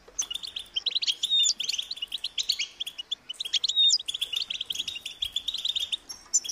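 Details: Hungry European goldfinch chicks begging their parents for food with high-pitched, insistent calls: a continuous stream of rapid, rattling chirps with two brief bright whistled notes, scarcely pausing throughout.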